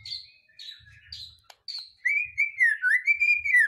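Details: White-rumped shama song used as a lure to provoke other birds into singing and bringing out their fills: faint high chirps at first, then a loud, sweeping, warbled whistle phrase rising and falling through the second half.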